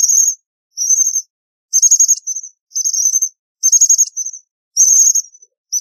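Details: High-pitched American bushtit twitters: short buzzy chattering trills, each followed by a softer brief note, coming roughly every second against a silent background.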